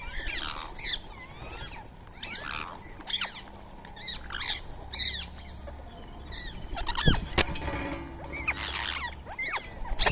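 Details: Free-living Indian ringneck parakeets feeding on soaked rice and corn at 6:30 on a March morning. Harsh, arched screeches sound one after another through the clip, with a loud sharp crack near the seventh second.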